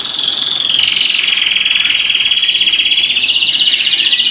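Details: Canary at home delivering one unbroken fast trill, evenly pulsed and bright, held at a steady high pitch for over four seconds.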